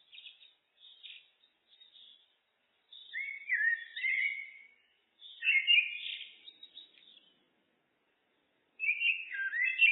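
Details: Common blackbird: faint, high, thin twitters first, then three full, mellow warbled phrases spaced a second or two apart; quiet background.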